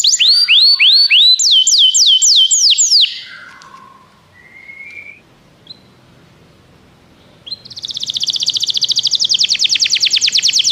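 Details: Canary song played to encourage another canary to sing: loud rapid series of high looping whistled notes for three seconds, a quiet gap with a few faint short notes, then a dense fast trill of buzzy notes.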